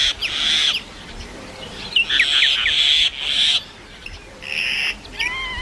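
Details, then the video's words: Common myna giving varied calls: bursts of harsh, grating notes mixed with short whistled slurs, in separate phrases with brief pauses between them. "Comman myna which makes different sound"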